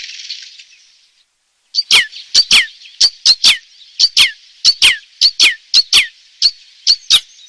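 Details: Red crossbill singing a steady series of loud, sharp, downward-sweeping chips, roughly two to three per second after a brief soft hiss and near-silent start.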